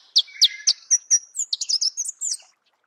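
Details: Marico sunbird song recorded in natural habitat: a few loud, spaced sharp notes quickly give way to a hurried, high, jangling twitter lasting about two seconds.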